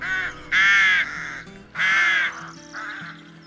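A rook gives harsh, drawn-out caws, two loud and two softer, roughly one per second, over quiet background music.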